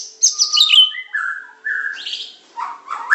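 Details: Medan-type white-rumped shama, masteran song styled super pancingan, macet, tembakan and isian: a high twittering flourish slides into lower drawn-out whistles, then short bursts of chattering notes.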